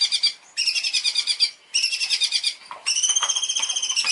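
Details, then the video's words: Long-tailed shrike, a champion bird, in a master song recording for training contest birds: three harsh, buzzy, rasping phrases, each a rapid pulsed chatter of stacked high tones lasting about a second, separated by short pauses. "masteran cendet juara"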